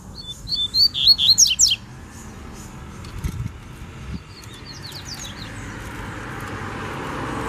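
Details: Wild double-collared seedeater in the bush gives a loud burst of rapid, high twittering strokes. A fainter, similar phrase follows about three seconds later, with a low rumble building in the background.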